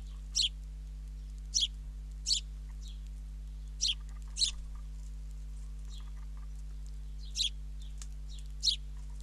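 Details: Sparrow fledgling being fed by its father, caught by a live camera at Ram On, Israel: sharp high chirps in short bursts, seven over about nine seconds at uneven gaps, over a steady low electrical hum.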